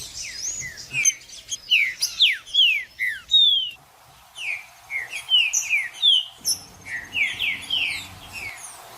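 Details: Trinca-ferro, the green-winged saltator, singing to stimulate a cold bird: series of clear, downward-sweeping whistled notes in rapid clusters, one pause near the middle, little background noise.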